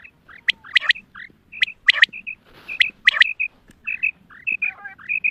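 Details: Female quail sounds used for hunting: quick high chirps and paired squeaky notes, broken by loud clicking bursts and a brief rush of hiss midway, with a soft low hum throughout.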